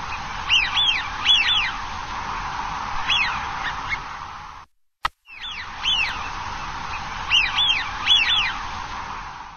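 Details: Eurasian wigeon by the shore of Dapeng Bay on 26 November 2018: clear whistled calls, each sweeping up and then down, given in quick bursts of two or three, with a brief silent gap midway and a steady background hiss.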